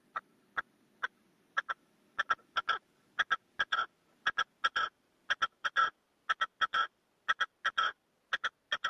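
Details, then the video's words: Caged male red-legged partridge used as a hunting decoy, calling wild partridges from its stand with its 'canto de mayor' of four to five strokes. Harsh, clipped notes in quick pairs and triplets, about one burst a second, with a faint low hum. "PERDIZ CON RECLAMO"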